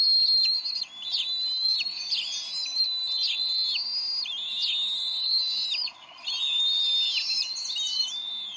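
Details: Bald eagles argue over a fish at the Decorah nest, 30 May 2012, before the female feeds the eaglet. Steady stream of high, thin whistled squeals in slurred phrases, with short pauses near one and six seconds.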